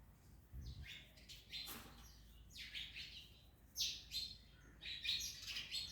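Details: Parrots feeding on an orange give scattered raspy chirps, some rising, in clusters over a soft low hum, with a dull thump near the start.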